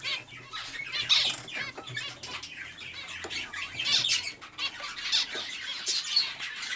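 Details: Zebra finches kept in breeding cages give short, high, nasal calls in quick bursts, overlapping from several birds, with wing flutters and cage rustling between them.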